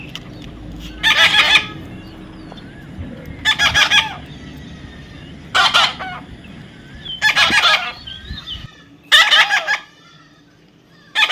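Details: Talking parrot repeatedly giving harsh, raucous squawks roughly every two seconds, six outbursts in total, with faint higher thin notes in between and a low background hum.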